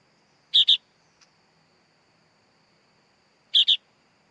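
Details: Sooty-headed bulbul chick repeating a grating paired chirp twice, roughly three seconds apart, with a tiny click between and a faint steady high tone behind.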